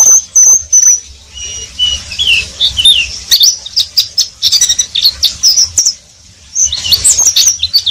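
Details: Oriental white-eye (pleci) in riwik song: high thin whistles that drop into a lower warbled phrase, then a rush of rapid twittering chirps, a short pause, and more fast chattering notes.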